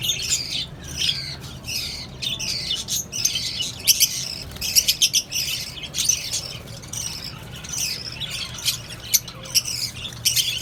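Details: Colony of lovebirds, cockatiels and budgerigars kept together: dense, continuous chatter of harsh squawks and sharp chirps, many birds calling at once in overlapping bursts throughout.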